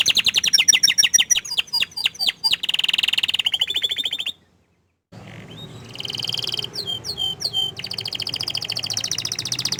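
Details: Canary song of rapid rattling trills and downslurred notes, cut by a short silent break, then resuming with high rolling tours and a few sweeping whistles.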